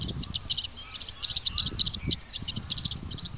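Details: Bluethroat giving rapid clusters of high, clicking, metallic notes, repeated several times a second in irregular bursts over faint low background rumble.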